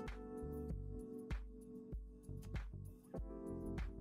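Instrumental music with steady low bass notes and sustained harmonic tones, with no animal sound heard.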